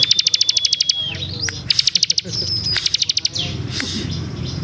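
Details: Ciblek in full song, a long thin steady whistle followed by bursts of quick metallic ticking notes and a rising slur, repeated in short phrases with low humming underneath.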